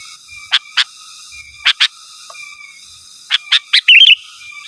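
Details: Sooty-headed bulbul calling rivals, a recording used to lure wild birds and train caged ones: pairs of short sharp chirps, then a quick bubbling warbled phrase at the end, over a faint steady high hum.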